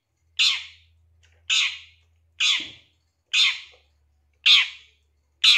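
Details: Long-tailed shrike, an untrained 'bahan' bird, calling as a lure to make other shrikes sing fast and get agitated: harsh, rasping, noisy squawks, about one a second, each dropping off quickly, with a faint low hum.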